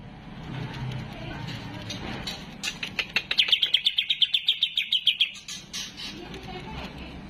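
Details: Home-kept greater green leafbird in full song, giving one fast trill of sharp, evenly repeated high notes lasting about two seconds over a steady low background hum.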